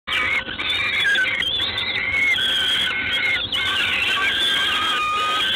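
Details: Peregrine falcon recorded in Gdańsk, Poland, on 3 June 2016 at 19:47. Continuous harsh, wailing harmonic calls overlap almost without pause, some notes sliding downward, over steady background hiss.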